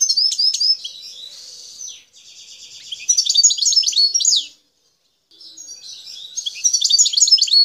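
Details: Song of a wild Algerian goldfinch, parva form, from Bouteldja in El Tarf province. Tinkling twitters give way to a nasal buzz and a dry rattle, then a cascade of bright notes. After a brief pause, twittering resumes.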